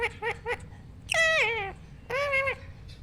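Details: A pet rose ringneck parrot at home gives three quick nasal notes, then two longer, drawn-out calls with a falling tail, heard indoors with no other sounds.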